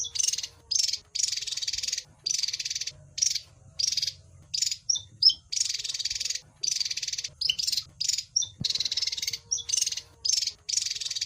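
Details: Javan white-eye giving repeated phrases of rapid, buzzy, high-pitched chatter, each lasting around a second, with brief pauses and occasional thin whistled notes between them.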